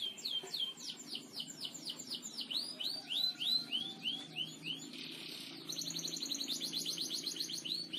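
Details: Canary singing a master song for training birds in the gacor ngebor style: a run of rising whistled upsweeps, then falling slurred notes, ending in a dense buzzy high trill.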